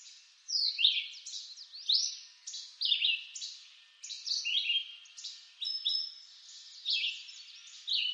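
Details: Red-eyed vireo song in an eastern North American woodland, a string of short slurred whistled phrases spaced about a second apart, some with buzzy edges, over faint background hum.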